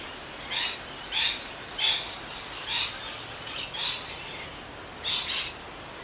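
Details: Rainbow lorikeet on the Gold Coast, taken with a Canon SX50 camera: harsh, broadband screeches in short bursts, about seven in six seconds at uneven spacing, with a quick double screech near the end, over a steady background hiss.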